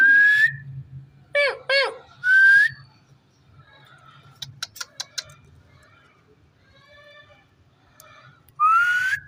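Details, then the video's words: Talking rose-ringed parakeet: a whistled note, two short hoarse syllables and another whistle, then a quiet stretch with a few metallic clicks, ending in a rising whistled word. "cute parrot amazing voice talking"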